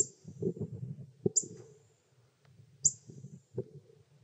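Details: At Terlingua, Texas, a male Pyrrhuloxia that takes food from a hand feeds his chicks, which beg with three bright, high, slightly falling chip notes amid low rumbling and bumping noise.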